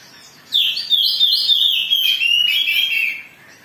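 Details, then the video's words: Oriental magpie-robin in agitated song, used to provoke other birds into singing; one long, bright whistled phrase of quick jumbled notes gradually dropping in pitch, clear and close against faint background hiss. "Pancingan Kacer Gacor || Suara Kacer Emosi"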